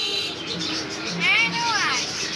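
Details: Caged hill myna at a bird shop in Chakbazar, Cumilla, Bangladesh, speaking its owner's name: a short, clear word with rising-falling tonal sweeps. A man talks and coaxes it to speak, and faint music plays underneath.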